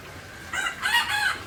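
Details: Short junglefowl crow from Aceh, a brief first note followed by a longer, loud, harmonic drawn-out syllable, with light background hiss.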